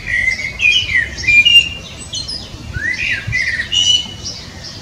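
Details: Common blackbird song with clear, mellow whistled phrases that rise and fall, broken up by thin high twittering notes. The phrases come in quick succession over a quiet background.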